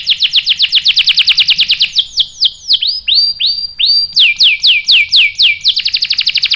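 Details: Varied canary song in a lure recording meant to make a male respond: a quick run of bright notes, then slower, wide, swooping whistled sweeps, then a return to a rapid, even trill.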